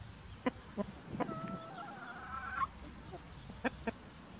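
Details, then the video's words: White rooster watching over free-ranging hens in spring: spaced short clucks, then a drawn-out wavering tonal call lasting over a second, followed by a few more single clucks over a quiet rural background. "Chicken Sounds"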